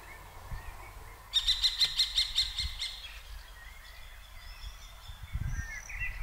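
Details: Common kestrel scolding during a clash between two pairs on 15 June 2023; a sudden loud string of about six shrill, evenly spaced kee notes, then quiet with distant songbird whistles.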